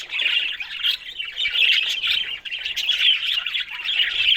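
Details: Budgerigars giving busy, overlapping high chirps and scratchy warbles, a constant bright chorus with short squeaks standing out every fraction of a second.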